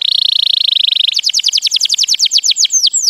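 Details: White canary singing: a fast, even buzzy trill held for about a second, then a run of quick high sweeps that slow and drop in pitch toward the end.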